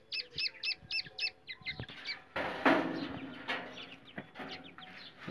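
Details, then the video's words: Black francolin calls from India, a recording used to lure and trap francolins, described as a baby francolin voice: short high chirping notes repeated in a quick series, then a loud rustling burst with scattered fainter calls. "teetar voice Kala teetar"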